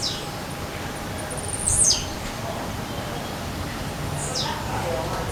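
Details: Forest-dwelling Blue-black grassquit, singing and jumping, gives two sharp high notes that drop steeply in pitch, roughly two and a half seconds apart, over quiet ambient hiss.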